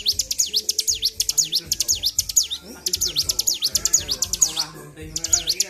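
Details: Bar-winged prinia, provoked into high excitement, delivering long strings of very high, steeply sweeping chips at a brisk pace, broken by two short pauses, with faint low sounds in the background.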